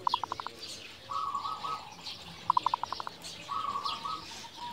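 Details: Local zebra dove (perkutut) singing actively: two bursts of about six rapid staccato coos, each followed by a longer rolling, purring phrase, heard fairly softly over a faint steady hiss.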